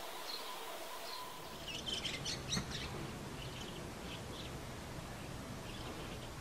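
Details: White-cheeked starling raising chicks at the nest: a brief cluster of thin, high chirps in the middle of the recording over a steady low background hum.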